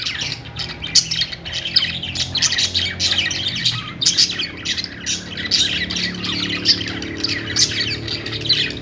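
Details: Budgerigar song of continuous scratchy squawks and chirps, dense and rhythmic, with sharp accents roughly every second and a faint low drone underneath.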